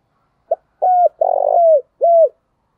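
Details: Spotted dove cooing to provoke fighting and spur other doves to coo: one short soft note, then three low, hollow, slightly falling coos, the middle one longer and rougher, in a quiet setting.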